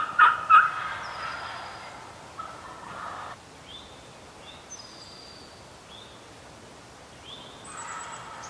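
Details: Spring Wild Turkey in New York, heard on a youth turkey hunt: two loud abrupt notes open, then softer rolling gobble-like bursts over a quiet woodland background with thin high bird whistles.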